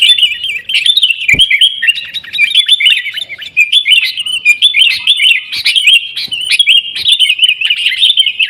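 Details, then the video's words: Sooty-headed bulbul in continuous fighting-style song, used as a lure so caged birds sing more: steady chattering notes with looping whistled slurs and one sharp click near the start. "kutilang gacor TARUNG buat pancingan kutilang agar bunyi jadikan burung kutilang gacor"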